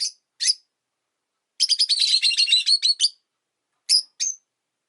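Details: Five caged rosy-faced lovebirds by a window, noisy even in winter: two sharp chirps, then a tight burst of harsh overlapping chirps, ending with two isolated piercing notes.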